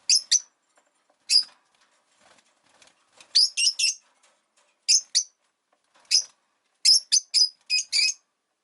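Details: Several caged rosy-faced lovebirds calling indoors beside a window in winter: scattered shrill, piercing chirps, single and in pairs, growing into a quick cluster of four to five high squeaks near the end, faint clicks and rustling between.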